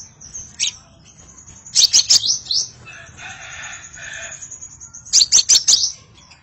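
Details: Scarlet minivet: sharp high chirps in two quick bursts of rapid notes, separated by a softer murmuring stretch, over a steady faint high whine.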